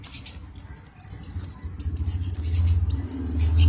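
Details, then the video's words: Male brown-throated sunbird, agitated and provoking a cucak jenggot bird: high thin warbling notes in quick wavy phrases over a steady low droning hum. "Kicau Burung Kolibri Ninja Dada Coklat Jantan emosi menggoda Burung Cucak Jenggot"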